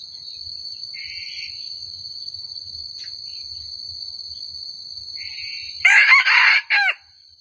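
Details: Wild junglefowl lured toward a forest trap: a loud, harsh, ragged crow in three broken bursts near the end, after faint short buzzy notes, all over a constant high insect-like whine.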